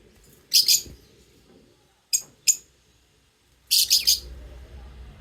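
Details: Lovebirds chirping: a few short clusters of sharp, high chirps separated by quiet gaps, with low room noise throughout.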